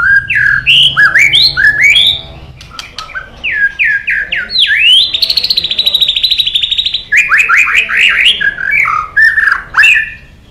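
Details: White-rumped shama singing a long, varied song: quick whistled slurs, a sustained rapid trill lasting about two seconds, then more bright swooping phrases and clicks.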